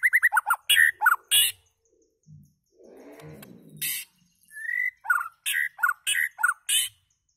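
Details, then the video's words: White-rumped shama giving calls and song: bursts of harsh broadband notes mixed with quick downslurred whistles, a low rasping passage in the middle, then more whistled phrases alternating with harsh chack-like notes. "White Rumped Shama calls and singing"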